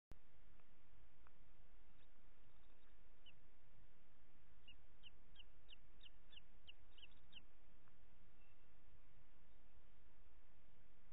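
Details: Booted eagle at a nest in Ports Natural Park, Catalonia, on an evening in late June 2021 as the mother feeds two chicks: a quick run of about ten thin, high, sharp notes over steady low rumbling background noise.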